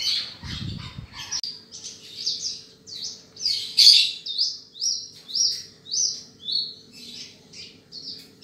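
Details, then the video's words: Australasian bushlark (Mirafra javanica), a field bird prized for its golden voice, singing a series of short buzzy high notes repeated about every half second, with a brief low thump near the start. ""BRANJANGAN" BURUNG SAWAH BERSUARA EMAS"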